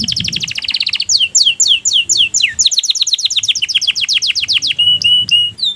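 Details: Singing canary in breeding condition: a fast trill gives way to a series of sweeping downslurred whistles, about four per second, then a rapid rolling tour ending in steady clear notes, with soft low hum behind.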